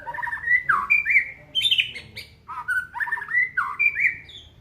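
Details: Aceh white-rumped shama, a caged songbird, singing a varied run of loud whistled phrases around one to four thousand cycles, with slurred rising and falling notes, buzzy trills and short pauses between bursts.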